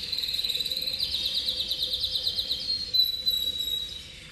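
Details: Canary of the Cobre Cobalto Intenso colour variety singing a rapid, buzzy, high trill of evenly repeated notes, then thin, sustained whistled notes over a steady faint low hum.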